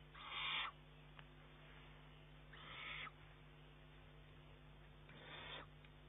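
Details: Eurasian eagle-owl youngster demanding food from its mother, 19 June 2011, though it can already eat alone. Three breathy rasping hisses about two and a half seconds apart, growing fainter, over low hum.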